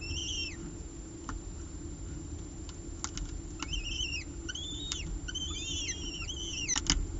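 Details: Peregrine falcon eyases on a nest ledge during a feeding by the mother, prey brought by the male, 30 September 2018; scattered thin rising-then-falling squeals with a few clicks and taps, over constant low background noise.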